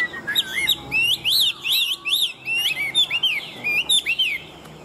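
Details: Caged Chinese hwamei, an adult caught in the wild and valued in Vietnam for singing and fighting, repeats loud arched whistled notes in rapid bursts, each note rising then dropping, with short gaps between groups.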